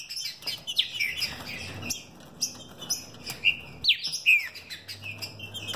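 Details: Captive-bred green-winged saltator of the 'mutação fibra e velocidade' song line, from a breeder in São Paulo. Sharp, bright chirped and whistled phrases, some slurred downward, come in quick uneven bursts with short gaps, over faint low background hum.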